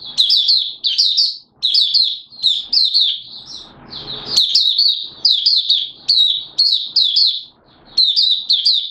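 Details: Malaysian mata puteh, the Oriental white-eye, opening its song (buka sing) in Singapore on 29 March 2023, warm and humid with sudden showers. A long, lively run of rapid, high-pitched twittered phrases with brief breaths and a faint rustle midway.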